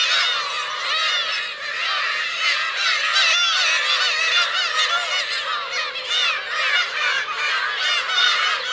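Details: Kurosaki coast, Teuri Island, Hokkaido, Japan, 17 June 2021: Black-tailed gull parents and chicks produce a relentless, busy chorus of harsh, nasal mewing calls, several birds calling over one another throughout.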